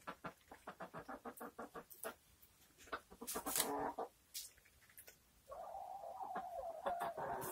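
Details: Poultry clucking in quick repeated pulses, then a long, drawn-out rooster crow over the last two seconds.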